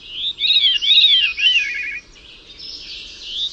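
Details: Bird warbling in a fluid, wavering song of rising and falling whistled notes for about two seconds, then fading into a softer high twittering.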